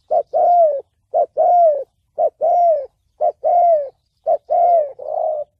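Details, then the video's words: A spotted dove gives its 'thổ bầu' style call, a call for trapping and training decoy birds: five rhythmic phrases, each a short coo then a longer, slightly falling coo, about one per second. "Tiếng chim cu gáy giọng thổ bầu chuẩn âm mới nhất, kích bổi,đi bẫy, tập mồi"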